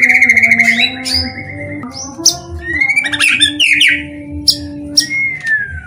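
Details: White-rumped shama song used to make other shamas sing: clear whistled notes near the top, then sliding whistles, sharp high chips and rapid trills, over a steady low background hum.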